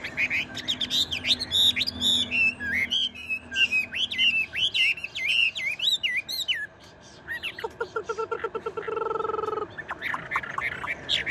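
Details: Chinese hwamei kept tame in a cage, still singing when the cage is shaken: loud looping whistled phrases in quick succession, then a run of rapid evenly spaced pulsed notes, and more whistles at the end.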